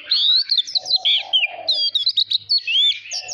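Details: A young Oriental magpie-robin pours out a rapid, varied song of sweet whistles, slurred rising and falling notes and sharp chips, with hardly a pause.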